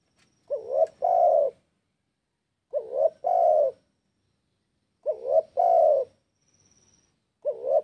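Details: Spotted dove in breeding condition calling a rival, giving repeated phrases of a short rising note followed by a longer sustained coo, roughly every two and a half seconds, against a quiet background.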